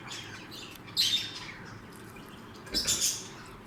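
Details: Blue lovebirds calling: two bursts of high, harsh chirps, the second a quick double squawk, over faint background twittering and a quiet room.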